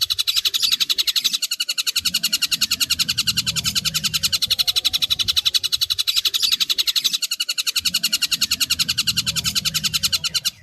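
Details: Long-tailed shrike training recording of harsh 'tembakan kasar' bursts with 'gereja tarung' and 'tengkek buto kunti' phrases: dense, scratchy, high chattering notes in rapid pulses of about four per second, in long runs with brief breaks.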